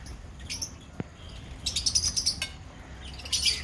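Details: A few sharp, high chirps from a lovebird colony, a single click near the first second, then a brisk run of pulsing squeaky calls and a final shrill burst.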